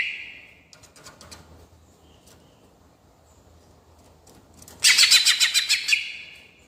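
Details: Cucak ijo (greater green leafbird) singing in the provocative 'ngerol' style: a fading whistle, a long quiet gap, then a sudden loud second-long burst of rapid, pulsing chatter.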